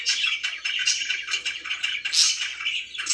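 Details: Pet budgerigars chirping indoors in a small room, a busy stream of bright twittering and squeaky notes with occasional harsher bursts, overlapping calls suggesting more than one bird.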